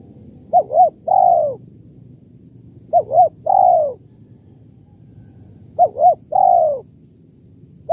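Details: Kuk 1-2 call of a spotted dove, used to lure doves: three phrases, each two quick arched coos then a drawn-out descending coo, repeated about every two and a half seconds, with a fourth phrase starting at the end.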